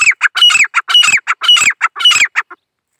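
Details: Female grey francolin (dakhni teetar) of India calling in the jungle; loud, harsh, rhythmic phrases with strained notes that rise then drop, repeated about twice a second in a steady run, no other sounds.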